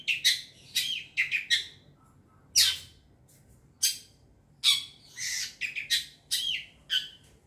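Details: Young forest long-tailed shrike used as a lure: loud, grating bursts, some single and some in quick pairs, separated by short silences, with a few brief whistled slurs between them.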